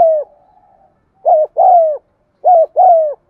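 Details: Cooing of a spotted dove meant to set off cooing in birds that have gone quiet: a trailing coo, then two mellow phrases of a brief wobbling note and a longer sliding note, close and clean.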